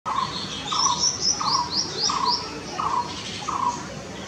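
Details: Blue-throated barbet call: mid-pitched rolling notes repeated about every 0.7 seconds, overlaid by a higher thin, rising chirped series from a purple sunbird, against steady background hiss.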